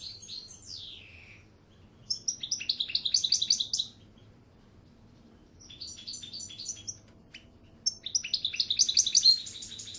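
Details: European goldfinch delivering three bursts of quick, tinkling, twittering song, each about two seconds long and separated by short pauses, opening with a descending slurred note; faint low hum underneath.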